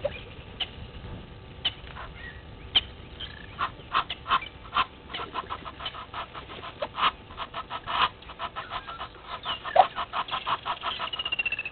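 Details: Red-billed hornbill looking for a meal at Gowrie dam waterhole, Djuma Game Reserve, Sabi Sand, South Africa, at 07:48 on 20 March 2021, giving dry, hollow clucks that quicken into a rapid run at the end.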